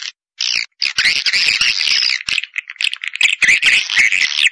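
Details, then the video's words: Pancawarna-style edible-nest swiftlet calling sound made to attract swiftlets, a continuous buzzy, chattering twitter after a short opening chirp, with dips and sharp ticks toward the end. "Suara Walet Pancawarna suara andalan"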